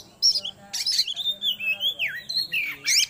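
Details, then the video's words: Oriental magpie-robin song used as a lure to bring birds quickly into breeding condition: loud, clear whistled notes sliding up and down, a long wavering whistle in the middle, then sharp high notes at the end. "Pancingan Suara Burung Kacer atau Poci Biar Cepat Birahi"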